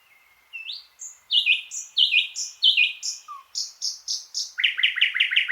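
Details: Thrush nightingale singing: varied loud phrases, clear whistled notes and upslurs followed by rapid repeated dry clicking strophes in fast series, clean background with no other sounds.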